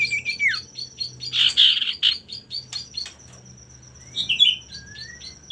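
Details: Song of a male common iora, used to stir rivals into singing: a falling whistle, a loud burst of harsh buzzy notes, a lull, then a few short upslurred whistles, over a thin continuous high tone.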